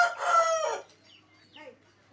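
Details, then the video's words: Early-morning rooster crow, the tail of a loud harsh call fading out within the first second, followed by faint distant chirps and a quiet background. "early morning hen sounding,,,కోడి పుంజు sound"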